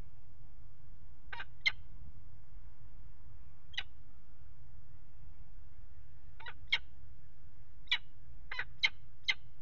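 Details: At a nest box on a water tower in Axel, Netherlands, a peregrine falcon pair mates on the ledge, 5 February 2018: nine sharp, clipped calls, scattered singly and in quick clusters, over a constant low rumble.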